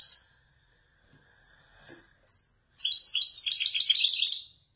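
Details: Caged male Widani-type European goldfinch from Morocco singing in the authentic Marrakech 'descents' style: a few short high chirps, then a dense two-second burst of rapid tinkling, twittering notes in a quiet room.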